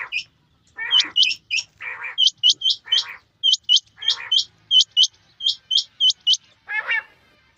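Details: Rapid, high, upward-flicking chirps from male and female quail in rain repeat in pairs and triplets, alternating with lower, harsher buzzy notes.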